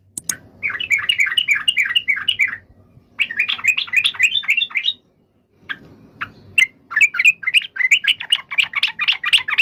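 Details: Yellow-vented bulbul song in several phrases of quick bubbly, rising and falling notes, a brief silence midway, then a louder, faster chattering run.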